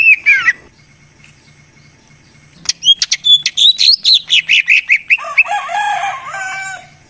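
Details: Greater green leafbird lure song used to stimulate silent birds: a short whistle, a pause, then a rapid series of chirping notes ending in a harsher, noisier chattering phrase.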